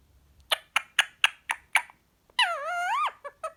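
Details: A male green pied Indian ringneck parakeet talking while relaxed after a full day of play: six short clipped syllables, then a long drawn, wavering harmonic phrase and a few brief notes.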